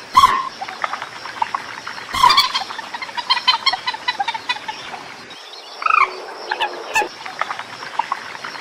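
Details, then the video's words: White-breasted waterhen lure call: harsh, croaking notes with rapid clicking chatter in between, and a few louder strident calls standing out. "suara pikat burung mandar batu / peruk sawah"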